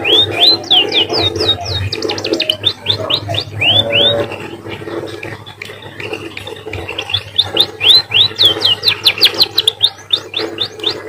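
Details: Canary-like munia song with bursts of fast arched whistles and rapid ticking notes, a softer pause in the middle, then lively high phrases again over a constant low background hum.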